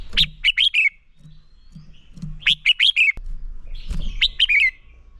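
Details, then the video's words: Red-whiskered bulbul singing its competitive fighting song, used to train other bulbuls: three bursts of four or five quick, bubbly whistled notes, each falling slightly at its close, with a soft low hum between. "Chào Mào Hót Đấu Kích Bổi Lên Lửa. Luyện Chào Mào Sổ Giọng Hót Căng Lửa."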